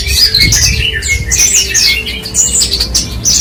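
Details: Steady singing from a parva Horsfield's bushlark used for tutoring other songbirds: dense, tumbling high whistles, slurred chirps and buzzy notes in unbroken succession, with faint low hum beneath.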